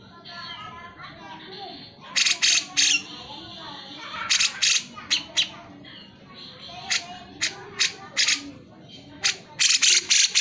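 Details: Vigorously singing cucak jenggot, played to stir lazy birds into song: a fast string of sharp, harsh, clipped notes in uneven bursts with faint whistled notes underneath.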